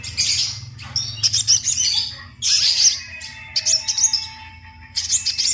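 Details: Sunbird song used as a training recording for other birds: bursts of high, thin, scratchy twittering alternating with sustained whistled tones, in short phrases separated by pauses, over a low steady hum.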